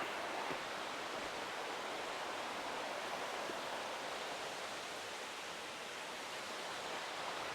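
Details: Steady rushing water like a stream or waterfall fills a walk in Oloolua Forest, Kenya, with no animal voices heard.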